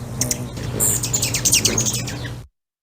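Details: Rufous Hummingbird: a buzzy wing hum with a low drone, made as its wings move through the air, mixed with quick, high, sharp chips over about two and a half seconds.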